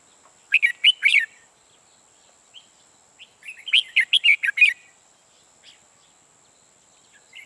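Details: Red-whiskered bulbul used as a trapping decoy, giving quick rich whistled phrases of bright chirps, a short burst then a longer run a few seconds later, with faint notes between.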